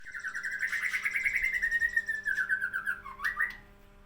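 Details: Sooty-headed bulbul singing actively from a Badheuk Ladong bloodline: a bubbly, slurred warble near mid pitch that drifts gently downward, then a brief dip and upturn at the end, with a faint steady hum underneath.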